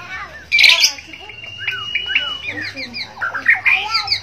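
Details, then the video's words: White-rumped shama from Borneo singing a busy, tumbling phrase of many overlapping slurred whistles, chips and squeaky notes, including one long steady whistle, over a low constant electrical hum. "murai borneo gacor dor White-rumped Shama 白腰鹊鸲 Kucica Hutan"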